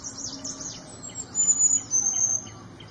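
Small niltava giving very high, thin, level whistles, two drawn-out notes in quick succession, over soft scattered chirps and faint background hiss.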